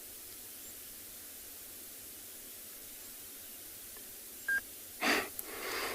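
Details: Quiet background hiss, then a short electronic beep and a burst of handling noise, with no animal sound.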